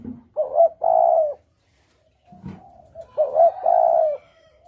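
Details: Clear spotted dove lure call for hunting. Two phrases, each a quick double coo followed by a long, level, hollow coo, are separated by a short pause with a faint low murmur.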